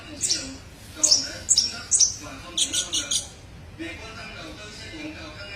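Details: Sunbird, known locally as kolibri ninja, in a training recording: a quick run of thin, piercing chirps for about three seconds, then fading to quiet background.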